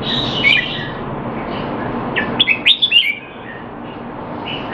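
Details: Caged Red-whiskered bulbul kept in Singapore, in training and said to be out of form, recorded 25 December 2020: a short burst of chirpy, slurred notes near the start, then a tight cluster of bright warbled notes midway over a steady low hum.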